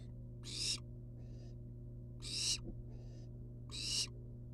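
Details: Three loud rasping hisses come roughly every 1.7 seconds from wild barn owl nestlings hanging outside the nest box, each followed by a fainter answering hiss. A low mechanical hum sits underneath.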